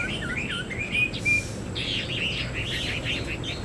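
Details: Chinese hwamei kept as a cage bird sings a few whistled slurs and a clear level note, then a rapid chain of warbling, looping phrases over faint background hiss.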